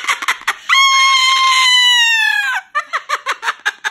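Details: Indoor pet Moluccan cockatoo complaining about going to bed in its cage: brief squawks, then a long, sustained, slightly falling screech of nearly two seconds, followed by a quick burst of short clipped calls.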